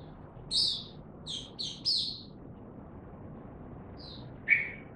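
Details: Oriental white-eye (mata puteh) giving scattered sharp, high chips in small clusters, then a lone thinner note and a lower squeaky call, against a quiet hiss.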